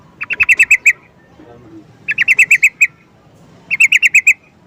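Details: Calling sooty-headed bulbul: three rapid bursts of six or seven crisp, even notes each, the bursts spaced roughly one and a half seconds apart, against a quiet low background.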